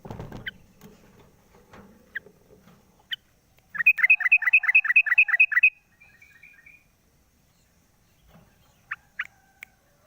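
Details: Sooty-headed bulbul in the morning, singing from its cage after the cover comes off: scattered sharp chips, then a two-second burst of about ten rapid, bright, evenly repeated notes, trailing into softer chirps.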